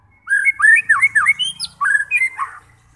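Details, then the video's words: White-rumped shama song for provoking fighter birds into singing: a fast run of varied looping whistles, some rising sharply, with a short harsh note near the end. "90% Cocok untuk memancing SEMUA jenis Murai batu FIGHTER, GACOR dan BONGKAR Isian"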